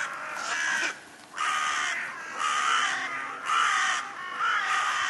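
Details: A crow, one of several thirsty crows, gives about five harsh, hoarse caws in steady succession, each around half a second, with short pauses between them.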